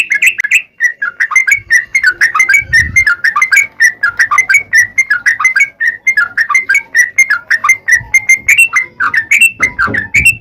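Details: Sooty-headed bulbul delivering long, unbroken 'ropel panjang' song to lure other bulbuls into answering: ten seconds of continuous bubbly, warbling whistled notes, rising and falling, with soft low thumps beneath.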